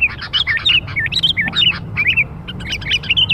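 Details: Lure sound for young sooty-headed bulbuls: lively, rapid run of clear whistled notes that swoop up and down, with a short lull around the middle before the bubbly chatter picks up again, a soft low hum behind it.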